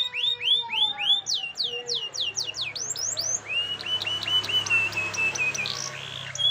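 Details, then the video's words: Canary song played as a lure to get a young canary singing: fast series of loud rising and falling whistled sweeps, then rapid repeated bright chirps and trills, with a steady low hum behind. "Pancingan Kenari Paud Agar Bunyi"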